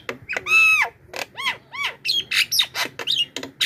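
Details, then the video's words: Javan myna lure call for attracting wild mynas: a long clear whistle, then arched whistled notes and a quick jumble of harsh, chattering squawks, loud and continuous throughout. "suara pikat burung jalak kebo,jeritan dahsyat untuk pancingan dan memanggil jalak liar"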